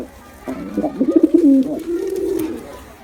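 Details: Pigeon pair, male and female, attacking together; a short series of guttural coos that swell, then draw out into one long, smooth, low moan.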